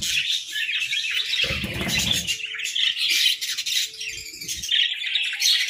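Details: Breeding budgies in the cold season chirping and twittering continuously, sharp tweets over a high chatter bed, a brief burst of low clatter near the two-second mark.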